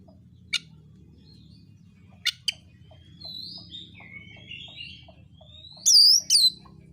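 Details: Oriental magpie-robin fighting song used to provoke other birds: mostly quiet, with a few sharp ticks, soft sliding whistles in the middle, then two loud looping whistled notes near the end, over a constant low hum.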